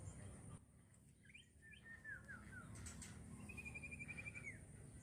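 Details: Common iora in full song: a few short rising whistles, then sliding descending whistled notes and a long, steady, trilled whistle that drops at the end. The bird is fairly faint over a constant low rumbling hum.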